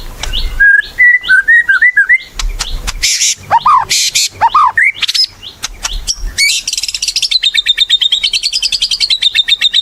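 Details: White-rumped shama in full active song (gacor), a lure recording meant to make shamas sing: varied wavering whistled phrases and sharp chips, then a long fast rattling trill of evenly repeated notes lasting several seconds.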